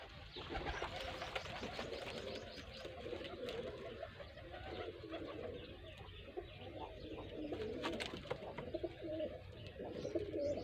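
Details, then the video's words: Pigeons (kabutar) in a village in Sindh, Pakistan, giving low, soft, rolling coos that repeat and overlap throughout, with higher chirps and some clatter in the background. "Pigeon my village Pakistani kabutar sindhi bird"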